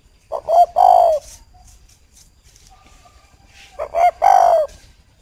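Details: Captive spotted dove at a bird farm in Ba Vì, Hanoi, Vietnam, cooing to a female: two phrases of a few short, soft notes that lead into a longer, throaty, rolling coo, separated by about three seconds of quiet.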